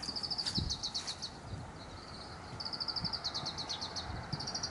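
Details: Oriental greenfinch singing inside dense camphor tree foliage at 17:32 on 25 April 2018, later moving to power lines; rapid high twittering trills in bursts, a brief lull midway, then more fast chattering over faint low rumble.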